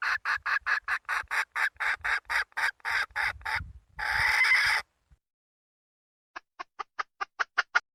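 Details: Red junglefowl hen cackling: a steady train of short, harsh notes, then a burst of noisy hiss, silence, and a quieter closing series of quick clucks.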